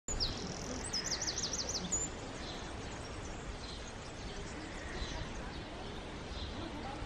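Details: A wren sings near Taureana in the toe of Italy, bursting into a high, rapid, trilling song for about two seconds, then fainter high notes follow over steady background noise.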